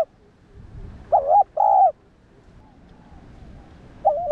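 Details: Spotted dove cooing, a call used to rouse decoy doves. One phrase of two mellow hooting notes, the second slightly longer. A new phrase starts at the end after a quiet gap.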